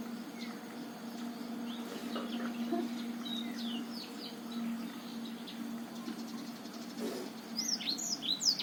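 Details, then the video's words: Black-throated canary of Botswana stock giving high, quick chirps and twittered phrases that grow louder toward the end, over a steady low electrical hum; used as a lure to prompt reluctant male black-throats to sing. "cocok buat pancingan Blackthroat males bunyi"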